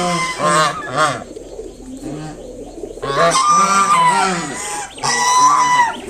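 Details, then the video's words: Kept mother swan protecting five freshly hatched cygnets from an approaching person; rough, nasal honks come in clusters, some with a high ringing overtone, separated by quieter gaps. "Mother swan making sounds to protect her baby swans."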